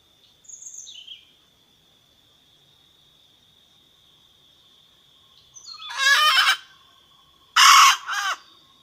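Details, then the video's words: A wild red junglefowl hen calls the rooster with two loud, coarse, grating bursts near the end, after a quiet stretch holding a steady high thin tone and a brief high whistle at the start. "Suab poj qaib qus ke seev ke qua tuaj zoo heev / tiếng gà mái gọi trống siêu chuẩn"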